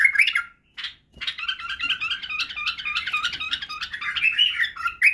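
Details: Tutor song of a Badrawi bulbul, the white-eared bulbul, for teaching chicks to sing and perform the barwaz: an opening whistle, brief silence, then a sustained rich, bubbling warble of rapid notes.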